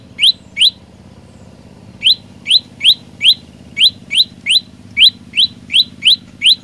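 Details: Olive-backed tailorbird in full, vigorous song: sharp rising chirped notes, about three per second, first a short pair, then a pause, then a longer steady run. A soft low hum lies underneath.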